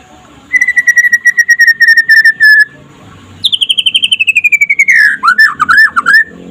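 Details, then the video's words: Daytime trotol-style song of a white-rumped shama, meant as a master recording to prompt other shamas to sing: a steady train of clear whistles, a pause, then a higher rapid series that slides down into twisting warbled notes. "SUARA KICAUAN BURUNG MURAI PASTOL DINLAGI HARI AGAR CEPAT GACOR"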